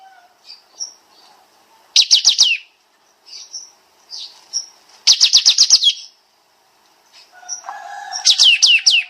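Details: Bulbul known locally as kapas tembak, recorded as a training master with dense rapid-fire singing. Quick volleys of steeply falling bright notes come in bursts every three seconds, separated by short chirps and soft whistles.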